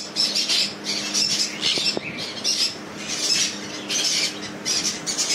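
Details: Hand-tamed sun conures giving loud, harsh, high-pitched screeching squawks in irregular bursts about once a second, with a faint steady hum beneath.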